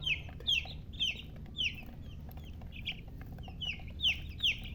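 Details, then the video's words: Baby chicks chirping: loud, clear, high peeps sliding downward, repeated roughly twice a second with fainter peeps from other chicks between them, over a soft low hum. "silly chicken chirping sounds"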